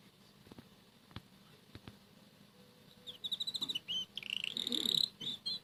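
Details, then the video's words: Red canary eating boiled egg yolk in the morning; a few quiet seconds of clicks and hum, then the bird breaks into soft rapid trills and whistled phrases. "Red Canary singing eating boiled egg"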